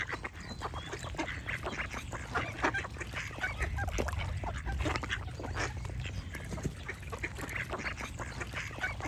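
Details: Busy flock of ducks quacking alongside chirping birds: a dense stream of rough, nasal quacks, some deeper and honk-like, delivered in quick overlapping runs, with occasional high chirps and a low rumble beneath.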